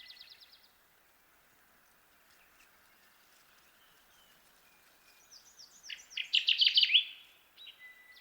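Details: Kirtland's warbler (Setophaga kirtlandii), also called jack pine warbler, singing. A loud, fast burst of rich, emphatic notes that quickens near the end. Fainter buzzy trills and thin whistles from other birds come before it.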